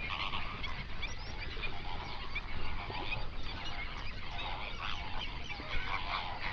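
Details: Hundreds of flamingos on a lake in an Overberg national park, South Africa, binaural sunrise recording: a thick babble of honking and grunting calls from many birds at once, no single voice dominating, over low-frequency background noise.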